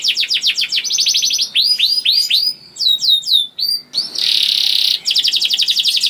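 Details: Singing canary, a lure meant to get other canaries singing quickly and persistently; rapid high trills, then a run of repeated drooping whistled notes, chirpy sweeps, a harsh buzzy stretch and another fast trill.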